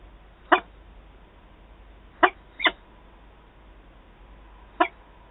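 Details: Adult peregrine falcons meeting at Wałbrzych on 11 September 2022; four harsh, raspy single calls ring out over quiet background, irregularly spaced, two of them close together.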